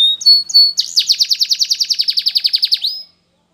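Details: Spanish Timbrado canary singing a powerful song for training: a few short high whistles, then a fast buzzy trill of about twenty evenly repeated notes that ends in a rising whistle and silence.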